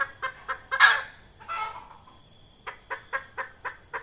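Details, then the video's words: Female red junglefowl whose calls serve as a lure for trapping: quick hoarse clucks, interrupted by a loud harsh rasping burst and a softer drawn-out note, then six more evenly spaced clucks. "Tiếng gà mái rừng"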